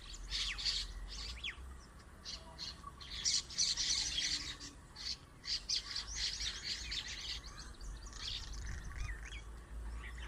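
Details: Many birds chirping together on a date tree: a dense chorus of overlapping high chirps and twitters throughout, with a steady low rumble of background noise.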